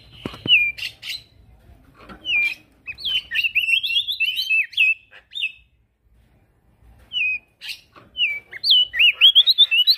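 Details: Actively singing male prinia (prenjak daun), recorded as training material for other songbirds; bursts of sharp whistled, slurred notes and short chips come in separate phrases with brief pauses between them.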